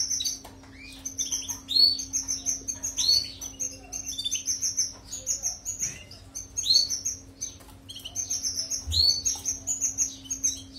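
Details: European goldfinch song, played for training canaries: fast, continuous high twittering with liquid trills, sweeping chirps and short buzzy notes in dense bursts, under a steady low electrical hum.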